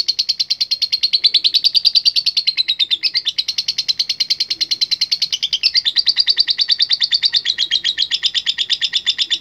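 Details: Contest lovebird of the latah type singing energetically to call rivals. A sustained, rapid rattling trill of high buzzy notes pours out without pause, with brief dips in pitch near the third and sixth seconds.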